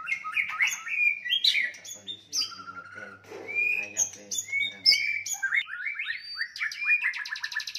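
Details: White-rumped shama fighting song, meant to provoke and anger rivals: a rich run of loud whistled phrases and rapid sliding notes, varied and high, with harsh buzzy bursts and a fast trilled rattle near the end.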